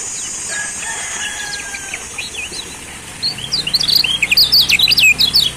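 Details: Lombok yellow white-eye from Lombok, used as a lure to get other white-eyes singing: faint thin whistles at first, then a burst of rapid high, twittering chirps and sweeping notes in the second half.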